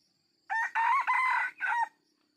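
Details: Red junglefowl crowing, used for luring wild junglefowl: one loud harsh crow of about one and a half seconds in four joined segments, the middle ones longest, falling off at the end; quiet background.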